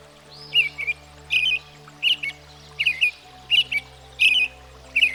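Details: American Robin song of paired, burry warbled notes given in short groups, the phrases rising then dropping, separated by brief pauses over a soft background hum.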